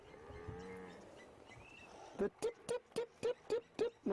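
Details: On a July 27 morning safari drive, a Blacksmith Lapwing gives its alarm call at a surrounding buffalo herd: sharp, metallic clinks like a hammer on an anvil, about four per second, after a low drawn-out lowing sound.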